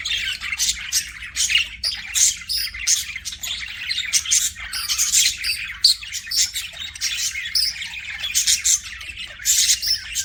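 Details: Pet budgerigars chirp continuously, quick pulses of bright, grating high notes and soft squawks repeating in rapid irregular succession, with no other sounds.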